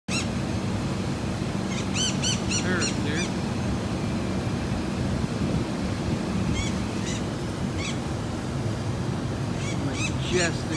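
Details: Wild conures in Laredo, Texas, giving bursts of harsh, ringing calls in clusters near the start, around the middle and at the end, over steady low rumbling background noise.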